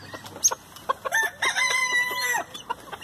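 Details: Chickens feeding on leftover hamburger buns; a drawn-out, harmonic, crow-like call lasting about a second rises over quick clucks and pecking taps.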